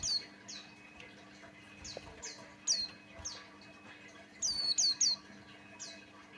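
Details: Lure singing by a male opior jawa, a Buxtoni white-eye, meant to get other white-eyes singing. Soft, evenly spaced high downslurred whistles lead to a loud triplet of sharp falling notes, over low background hum.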